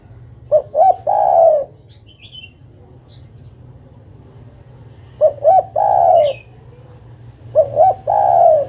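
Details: Female spotted dove calling for a male, three repeated phrases of two short hoots and a long drawn coo, spaced several seconds apart, with brief high chirps from a small bird in between.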